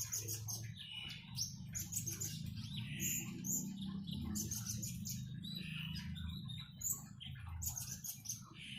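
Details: Common iora song with flowing water. Quick high chirps and twittering phrases repeat irregularly over a constant low gurgle of running water.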